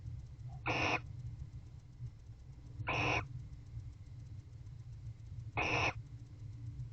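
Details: Barn owls mating inside a nest box at 8:25 pm, 21 October 2023, a bonded courting pair. Three short, harsh hissing screeches come at irregular gaps of two to three seconds over a steady low hum.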